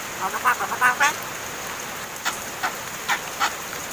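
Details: Mynas reared by their keeper for over seven months, now said to speak; a rapid burst of five or six grating, buzzy notes opens, then spaced single rasps follow every half second or so, over a steady hiss.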